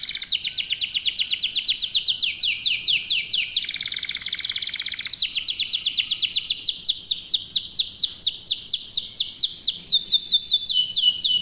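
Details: Local canaries singing together nonstop: long sequences of rapid, high descending whistled notes, briefly shifting to a lower buzzy roll, then resuming fast falling trills for many seconds.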